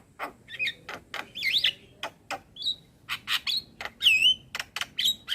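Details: Varied song of an adult male Javan myna used as tutor material for a young myna: quick clicks interleaved with twisting whistled notes, including a looping high whistle near the end.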